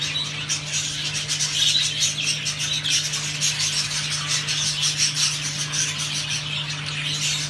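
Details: Excited male and female rainbow budgerigars give mating calls, a busy, high chattering warble full of quick chirps and squeaky notes, with a steady low electrical hum underneath.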